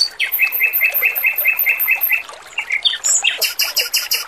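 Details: Energetic male robin singing for bird training: a fast run of about ten repeated chirped notes, a brief pause, then very high rapid ringing pulses, with trickling water behind.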